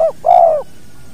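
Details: Spotted dove, a natural recording meant for training other birds, called the two-note kuk type: two soft, hollow coos, a short one then a longer drawn-out note falling slightly at the end, in quiet surroundings.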